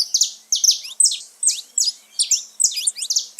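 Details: Saffron finches singing in the wild: clear, high buzzy phrases, each a chirp sliding down into a short trill, spaced about every half second.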